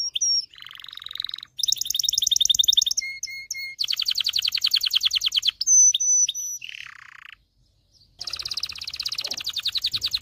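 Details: Excited canary singing to train males to sing and prepare females for mating: loud, fast high trills and buzzy rolls alternating with short pure whistled notes, a brief pause near the end before another rapid trill.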